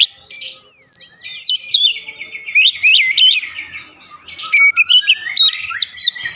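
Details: Oriental magpie-robin with a long varied song of quick whistled and twittering notes, rising and falling in pitch, growing denser and louder toward the end.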